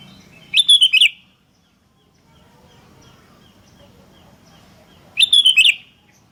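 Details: Sooty-headed bulbul calling for a lure recording: two short, bubbly whistled phrases of quick stuttering notes, about four and a half seconds apart, with a soft low hum between them.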